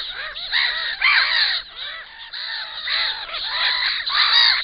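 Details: Black-winged stilts at a nest with an enlarged clutch give harsh, nasal yapping notes, several birds overlapping in a steady, insistent chorus of short arched calls.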